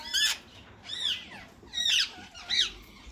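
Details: Rose-ringed parakeets, a white male and a green one, in talking mode: four hoarse arching squawks over a steady background hiss, each short and harmonic-rich.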